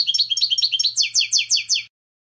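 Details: European goldfinch delivering quick twittering notes followed by five or six evenly spaced, loud, downslurred chirps over a faint low hum.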